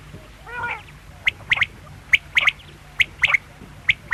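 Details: Quail giving one short, wavering nasal note, then a steady run of sharp, high, clipped notes, mostly in quick pairs, about once a second over a faint low hum.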